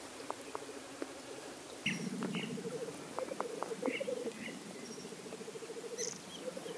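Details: Black grouse; lek display; males displaying at the lek for courtship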